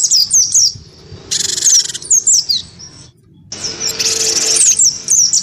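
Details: Vocal wingko cinereous tit, goaded into fight singing against a white-eye, gives quick high downslurred chirps between two long rasping buzzy bursts, with a brief silent gap just after three seconds.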